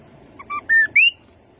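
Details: Rufous-capped babbler giving a short whistled phrase: two brief low notes, then a level sustained whistle, ending in a higher rising slurred note. Each note is louder than the one before.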